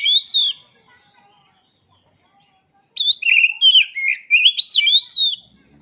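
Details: Kacer, the oriental magpie-robin, in full song as training material for other birds: a brief whistled phrase, a pause, then a long rich stream of fast sliding whistles, twitters and high chips.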